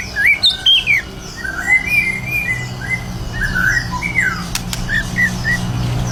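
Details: White-rumped shama kept caged in Indonesia, in contest-ready song: scattered short whistled and slurred notes, some sweeping upward, heard against a steady low hum and a sharp click.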